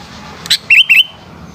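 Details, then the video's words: Sooty-headed bulbul in the afternoon: a sharp click followed by two quick wavering whistled phrases, clear over soft background hiss. "Burung kutilang oceehan disore hari"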